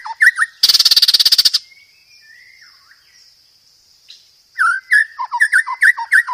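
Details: Master song of a white-rumped shama for training cage birds, full of varied fill-ins: a few whistles, a dense harsh rattle lasting about a second, a long quiet pause, then a quick series of sharp falling whistled notes.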